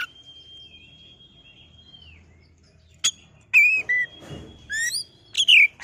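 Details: Oriental magpie-robin (kacer) song played as a lure to rile a kacer into singing: a long, flat, steady whistle held about two seconds, then a sharp click and bursts of varied, harmonically rich whistled notes and slurred phrases.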